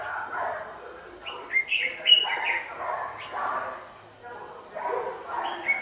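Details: Red-whiskered bulbul decoy singing during a dusk trapping session in late November 2018. Scratchy, warbled phrases with sharp whistled accents come in quick clusters, mixed with lower chatter in the background.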